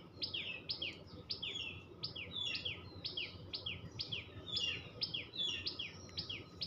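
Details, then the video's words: Tailorbird (tuntuni) chirping: a rapid, steady series of sharp high two-part notes, a bright chip dropping into a slurred down-sweep, repeated over two times a second with faint background noise. "টুনটু‌নি পা‌খির ডাক l Tuntuni birds chirping sound l Tailor bird chatter l টু‌নি পা‌খির ডাক"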